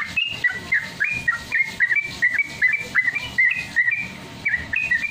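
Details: Sooty-headed Bulbul singing, as used for training caged birds: quick chains of bright whistled notes that flick up and down, with steady low thumps underneath.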